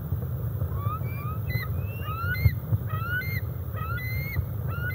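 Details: Two juvenile bald eagles over 17 weeks old, hanging out together at the Decorah North nest, filmed by an eagle cam on July 27, 2021; rising slurred whistles with bright overtones come in short series every second, over a steady low rumble.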